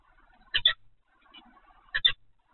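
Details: Peregrine falcon calling at the Evoluon nest location on 7 February 2020, 15:55: two rasping paired notes about one and a half seconds apart, with faint low background sounds.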